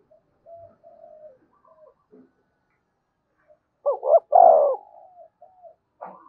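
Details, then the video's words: Spotted dove calling song meant to attract wild doves: faint soft coos at first, then one loud double coo and a long rolling coo, fading into soft notes, another coo starting at the end. "Chim cu gáy thúc và gáy gọi cực đỉnh giọng rất hạp bổi"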